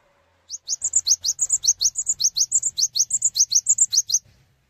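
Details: Cinereous tit in sustained song, calling other tits to join in: a continuous run of nearly four seconds of evenly repeated high rising strokes and whistled notes, with a faint low hum beneath.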